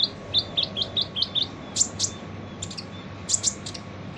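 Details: Kolibri ninja sunbird singing its full harsh song for training other birds: a quick run of about six clipped, buzzy high chirps, then scattered sharp piercing ticks and doubled notes, above a faint constant background hum.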